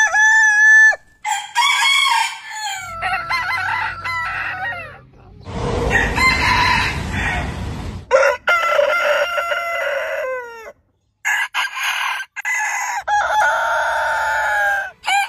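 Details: Compilation of roosters of many heritage chicken breeds crowing in turn, long harmonic crows of varied pitch, with a burst of broad noise midway and low rumble behind.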